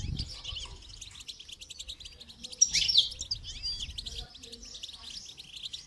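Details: Goldfinch song for song training: continuous high chattering twitter of quick repeated notes, with a sudden loud sharp chirp burst near the middle and a low thump at the start.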